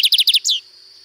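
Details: Lined seedeater at Sítio Paraitinga, Cunha, giving its distinctive song: five clipped, high, buzzy notes in quick succession, then a longer note sliding downward to close the phrase.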